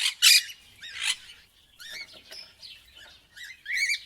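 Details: Loud raspy parrot screeches open the sequence, followed by softer wobbling chatter notes and bent whistles, ending on another sharp rising squawk.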